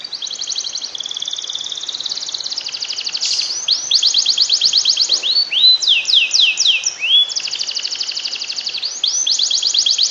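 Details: Canary song to stimulate lazy canaries to sing: long sequence of fast trills and rising sweeps with sharp whistled notes, continuous and high-pitched.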